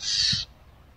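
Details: Barn owl uttering one short, breathy rasp of under half a second, harsh and hissing in tone, with a faint low thump during the call.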